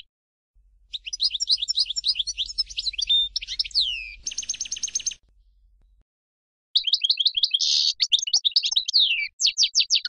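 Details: Goldfinch of the Major variety twittering in quick liquid phrases, a brief rattling buzzy trill, then more varied chirping runs; a low steady hum sits under the first part.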